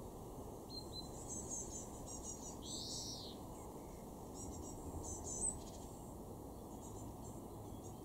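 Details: Garden European greenfinch at Weener, East Frisia, Germany, in June 2024, giving one short rasping, arched wheeze midway. Faint high chirps and twitters come before and after, above a constant low hum, with one brief click.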